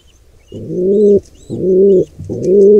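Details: Wild pigeon giving three drawn-out, hollow coos back to back during an attack on a squab by an intruder pair, with faint thin squeaks above.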